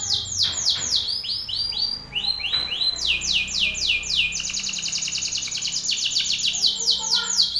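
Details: Loud song of an angry male Belgian canary aimed at a rival: runs of high falling sweeps, some slower and wider, others very fast and rolling, continuing almost without pause.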